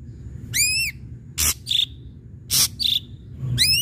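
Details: Ashy drongo singing vigorously, used as a lure to stir other birds into song: upswept harmonic whistles at start and end, with harsh broadband bursts and short burry notes between them over a low background rumble.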